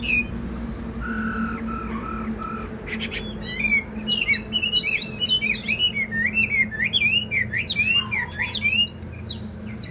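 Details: Old wild-caught Chinese hwamei offered for sale, praised for excellent singing, starts with low hollow hooting notes, then bursts into a fast, energetic stream of upslurred and downslurred whistles mixed with crisp high chips.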